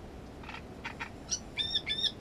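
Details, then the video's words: Great reed warbler at the nest singing a rough phrase: three low, grating notes, a sharp high squeak, then two long buzzy notes with clear whistled overtones. "Камышовка дроздовидная"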